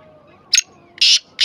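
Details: Black francolin giving harsh, rasping call notes: a short clipped note followed by two longer grating bursts, spaced under half a second apart, over a low steady background hum.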